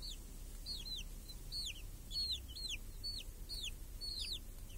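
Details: Small chicks with a hen under a protective cage in a village, summer day, hunting flies; clear high peeps, each sweeping down, repeated in pairs roughly every half second.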